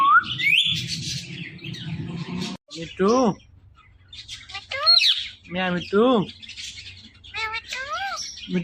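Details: Ring-necked parrot speaking in loud bursts: arched harmonic syllables like imitated words, separated by short pauses, mixed with a rising whistle, high squeaks and a low-pitched voice-like murmur at the start.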